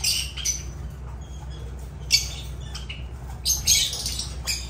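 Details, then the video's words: Agapornis lovebirds giving high, strident squawks and short chirps in separated bursts, louder clusters near the start and end, with a steady low hum behind. "Agapornis love birds sounds"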